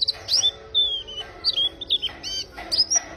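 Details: Melodious song of a warbling white-eye: high, quick whistled phrases and short slurred notes, some swooping down, in brisk bursts separated by brief pauses.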